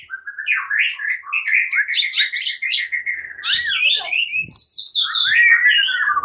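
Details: White-rumped shama fighting song at morning: a fast, unbroken stream of warbled and whistled notes, rising and falling, with a few faint low knocks.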